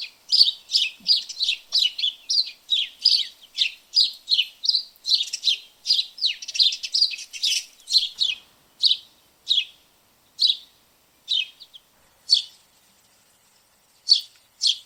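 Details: Backyard house sparrows chirp in a long dense burst of harsh, scratchy notes for about eight seconds, then the chirps thin out to single calls spaced one to two seconds apart before ending.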